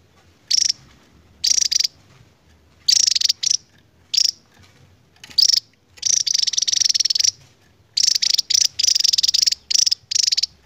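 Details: Javan tesia, an endemic Javan bird, singing its long ngebren song: separated bursts of very high, buzzy, rapid trilled chatter, each lasting under a second, with short silent gaps between them.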